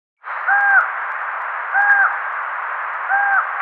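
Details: A Common Raven gives its meat call: three short, hollow, slightly rising-then-falling calls about a second and a half apart over a steady background hiss.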